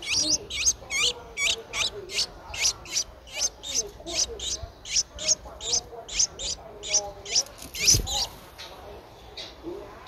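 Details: Ten-day-old Streak-eared Bulbul nestling, a very common resident, recorded in Ubon Ratchathani, Thailand on 12 April 2023, giving thin high squeaky calls repeated about once a second in a steady series.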